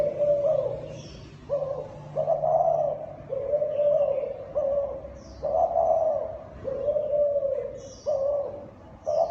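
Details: Cooing call of a Thai dove kept as a cage bird: a run of deep, rounded coos, each lasting about a second with short gaps between, some slightly swelling, over soft background chirping.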